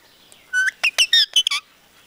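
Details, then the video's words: Parrot that talks in Punjabi sentences: a short string of sharp, clipped syllables, a bright whistled note then several quick chirpy, word-like bursts in a quiet room. "Talking Parrot"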